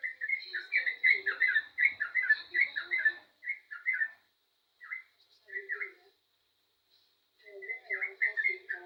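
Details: Yellow-vented bulbul singing eagerly: a fast cascade of gurgling notes, then sparser paired phrases separated by silences, and a final rapid chattering burst; a thin constant high tone sits underneath.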